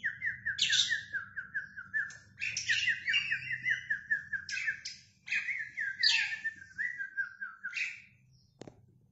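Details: Oriental magpie-robin in energetic song while fanning its tail: fast rippling trills alternate with bright, harsh high flourishes, repeated in bursts over a faint low hum, ending with a sharp click.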